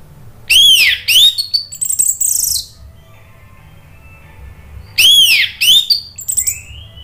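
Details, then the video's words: Orange-headed thrush lure song for a silent bird: two loud arched whistled notes followed by a hissing high trill, then a long quiet gap before the same pattern repeats. "Pancingan ANIS MERAH bikin NYAUT ikut BUNYI GACOR NGEPLONG"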